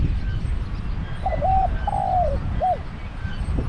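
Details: Decoy spotted dove in a cage, calling to draw wild doves to a trap. A single phrase: clipped coo-coo, a drawn-out descending croo, then one short coo, heard over constant low-pitched background hum.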